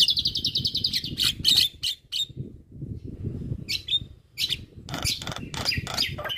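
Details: Javan myna masteran for prompting quiet mynas to sing, alongside other myna types: an opening fast, even high trill, then scattered sharp chirps and harsh rasping notes after a brief pause, over low rumbling noise.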